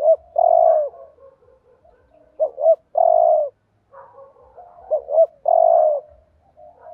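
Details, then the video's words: Spotted dove decoy cooing 'thúc gù' to rile rival males. A repeating pattern of two short rising hoots and one long, even croo, heard three times, with quiet wavering coos filling the gaps. "chim cu gáy thúc gù BÀi BẢn/ tiếng chim cu gáy kích bổi và mồi rất xiêng gáy"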